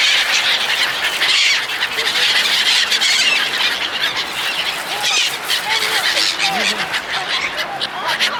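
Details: Gulls clamouring as people feed them, continuous screechy calling from a crowded flock, with a few clearer rising mews standing out toward the end.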